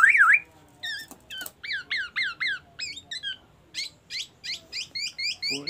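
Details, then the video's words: Black-naped oriole in full song, copying the oriental magpie-robin: a short wavering whistle, then a rapid series of sharp, repeated chevron-shaped notes in steady clusters, with a man speaking briefly at the end. "SUARA BURUNG KEPODANG EMAS GACOR FULL ISIAN MURAI BATU DAN SIRENE AMBULANCE"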